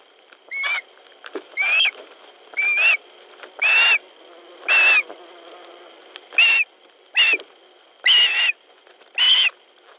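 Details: Osprey squabbling over a fish at a Latvian nest, evening of 10 July 2013: a run of nine short, shrill, piping squeals, roughly one per second and slightly rising, with a constant high electronic tone behind them.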